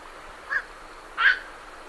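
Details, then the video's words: Night herons calling on leaving their roost, great reed warblers in the background: a short croak, then a louder, broader and harsher croak about 0.7 seconds later. "Night Heron Calls / Night Heron. Calls MCU From Birds Leaving Roost"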